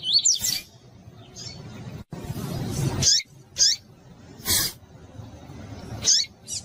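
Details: A female double-collared seedeater calls to stimulate males. Brief, sharp, high chirps come every second or so, mixed with short broadband noise bursts over a low background hiss.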